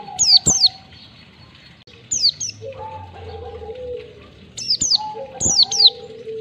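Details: Oriental white-eye training song for caged birds, ngalas 1-2 ketukan style: paired sharp descending chirps, with lower steady whistled tones and a soft low murmur in the pauses.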